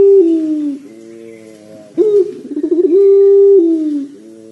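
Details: Long trilling coo of a Barbary dove in lively voice: one steady, falling low note, then a quavering trilled run into another sustained level coo that slides down, with a faint hum filling the pauses.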